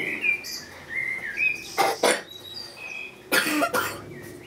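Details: Common blackbird (Turdus merula) singing: clear fluted whistles that slide and waver between phrases, broken twice by loud broadband bursts like coughing.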